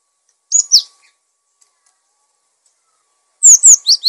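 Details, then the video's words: Cinereous tit in vigorous song, a recording used as masteran for tutoring and prompting other birds: two sharp high notes, a pause of nearly three seconds, then four quick descending slurred whistles in a burst. No other sounds. "Gelatik Batu Gacor! Untuk masteran dan pancingan Burung"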